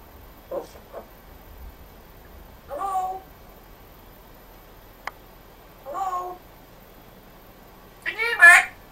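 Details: Pet African grey parrot known for talking in a Yorkshire accent, producing four separate short voice-like syllables with harmonic, nasal tones, spaced a few seconds apart, the last one loudest, with a faint click between them.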